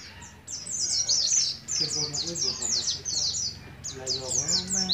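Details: Learning young Oriental white-eye, endemic bird from Moga, Pemalang, Central Java, practising ngalas ngeroll: quick chains of sharp, high, downslurred chirps in two long phrases over faint background noise.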